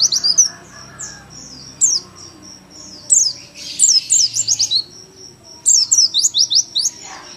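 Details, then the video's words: Young Oriental white-eye delivering 'nembak' song as home master material: isolated sharp chirps giving way to rapid clusters of high, slurred, descending notes in two main bursts. "PLECI PAUD NEMBAK LUMAYAN BUAT MASTERAN DI RUMAH"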